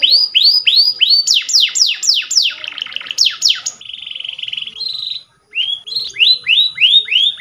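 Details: Canary's powerful training song, switching between rapid downward-sweeping high notes, a dense rattling trill, and a steady thin whistled tone, then brief silence before more arched, rolling notes.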